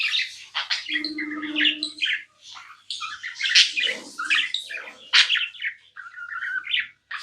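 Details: Pet budgie in continuous chatter, scratchy warbled notes and sharp squawks tumbling together, with a low steady hum under the first seconds and a few short gaps.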